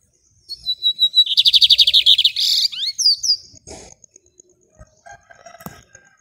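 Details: Caged lined seedeater, a bigodinho, singing hard in a hand-held cage in Maranhão, Brazil, in the rajadinho song style: a thin whistled note, then a rapid buzzy rattling trill, sharp upward sweeps, and scattered soft chips.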